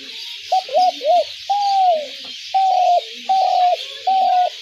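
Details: Spotted dove call, used as a trap lure for doves: a rapid cluster of three short coos, then a longer drawn-out coo and three even, steady coos spaced about a second apart, over steady background hiss.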